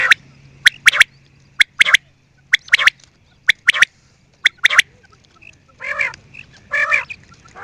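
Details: Quail giving crisp paired clicks at roughly one-second intervals, followed near the end by two rougher, buzzy squawks.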